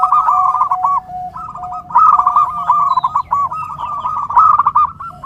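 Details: Zebra dove, known locally as perkutut, singing in a recording meant to train and lure these birds: continuous quick trills of soft cooing notes over a steady lower tone, phrases repeating about every second.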